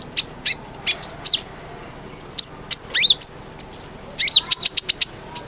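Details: Konin sunbird song for coaxing a silent bird: isolated piercing high chirps, a short pause, then clustered sharp downslurred twitters and quick high trills.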